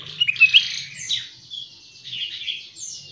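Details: Black-capped bulbul, identified as Black-crested bulbul (Pycnonotus melanicterus), lure-call recording: a quick run of scratchy, high chirps and squeaky notes, then softer, rising harsh phrases, over a faint low hum.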